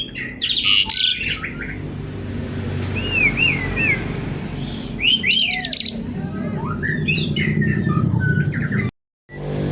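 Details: Energetic Javan pied starling song in a crackling, garuda-like style. Clear looping whistled notes rise and fall between raspy chattering bursts, with a short silent gap near the end.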